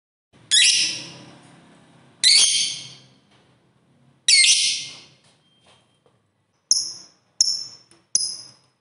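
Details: Lovebird, fighter type, in a recording meant to prompt other lovebirds to sing: sharp, shrill screeches spaced about two seconds apart, each falling away quickly, followed by three quicker, higher clipped notes.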